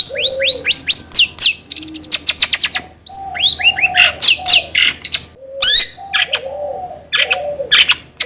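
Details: Long-tailed shrike lure song aimed at making another bird sing: quick series of rising whistled notes, sharp chips and harsh chatter mixed with low mellow coo-like notes.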